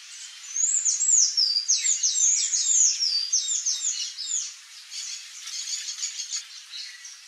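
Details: A wild Palm Tanager (Thraupis palmarum) in Brazil, visiting a backyard, sings a fast, high, squeaky jumble of thin slurred notes, tumbling and twittering without pause and fading slightly toward the end.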